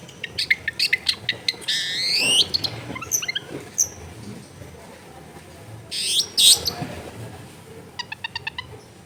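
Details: Long-tailed shrike song played as a lure for shrikes that are slow to sing, recorded at home among dense housing: quick ticking notes, a loud rasping sweep, harsh squawks, and a final run of rapid, evenly spaced clicks.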